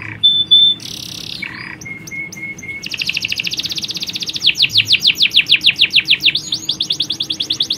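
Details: Canary colony with females calling males and males singing; short whistles and buzzes, a few soft notes, then a long rapid trill breaking into swooping repeated notes.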